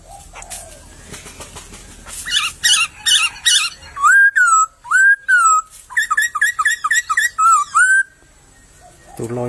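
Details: A wild white-crested laughingthrush sings in a bamboo thicket: a rapid series of loud, ringing whistles, each rising then dropping, repeated over several seconds after harsher rattling notes. A thump is heard at the end.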